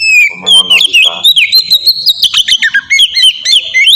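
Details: Oriental magpie-robin singing in the melodious ngeplong style, used as a lure to get young birds singing quickly: a fast run of clear whistles and sharp chirps that slide up and down, with a brief lower rasping passage early on.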